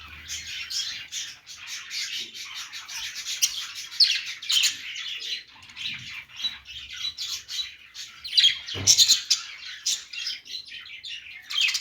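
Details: Budgerigars (budgies) playing and making happy sounds: continuous busy chatter of rapid, high chirps and scratchy warbles, overlapping throughout, with louder squawky bursts near four and nine seconds.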